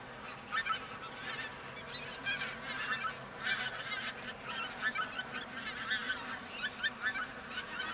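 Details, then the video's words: Pink-footed geese in a large feeding flock on left-over grain near Verdal, Norway, in October 2018; many geese give sharp, high, two-note honks in quick irregular bursts, calls overlapping and swelling in loudness through the stretch. "Pink-footed Geese feeding near Verdal, Norway October 2018"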